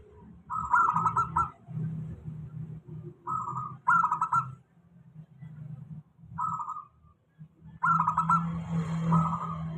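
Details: Lure song of a local zebra dove for doves lazy to sing: five rolling, stuttered coo phrases spaced about one and a half to two seconds apart, over a persistent low hum.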